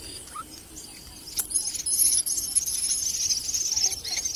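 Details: Common myna chicks being fed a lizard by a parent; after a quiet start, harsh, hissing high-pitched begging bursts come rapidly and overlap, growing louder through the second half.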